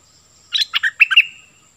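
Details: A cream-vented bulbul used as a decoy bird gives a brief, chattering phrase of five or six throaty, bubbling notes that end in a higher liquid flourish.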